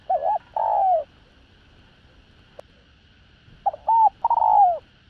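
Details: Spotted dove calling and cooing to draw in wild doves, đồng rặc voice: a wavering note and long descending coo, a sharp click, then a phrase of three clipped notes before a drawn-out coo, over a faint background hum.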